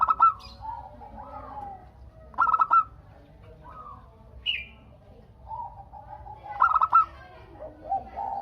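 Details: Local zebra dove calling vigorously to prompt answering doves: stuttering coo bursts recur every few seconds, softer answering coos and a brief high chirp fill the gaps.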